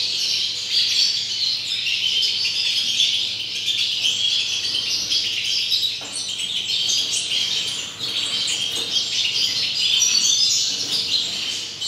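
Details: European goldfinches recorded in 2019, singing a dense, continuous high twittering of rapid chirps and trills that runs unbroken for the whole stretch, with a brief dip near the eighth second.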